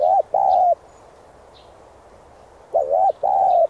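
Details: A spotted dove, its urgent cooing used to stimulate decoy birds to call, gives two bursts of mellow, mid-pitched coos, each a quick pair of hooting notes, separated by a pause of about two seconds.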